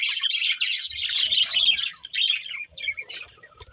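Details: Several pet budgerigars playing, giving a dense, continuous high warbling chatter of rapid chirps and squeaks for most of the clip, thinning into scattered short chirps toward the end.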